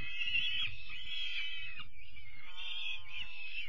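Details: On 5 May 2021, young peregrine falcons being fed dinner let out long, rasping, wavering screams, two or three running almost together, with dull knocks underneath.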